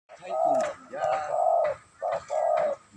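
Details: Tame spotted dove cooing indoors in a small room: mellow, hollow coos in rounded phrases, a short note followed by longer drawn-out ones, repeated steadily about once a second, with faint background murmur.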